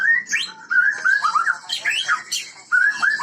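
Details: White-rumped shama of the Medan type in vigorous song: loud clear whistled phrases, sliding up and down, broken by short pauses and sharp high notes, delivered with a lively, varied rhythm.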